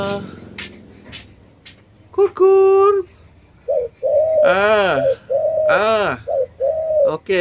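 A spotted dove gives low, husky coos, one held steady and others swelling and falling in a short run, over faint background noise.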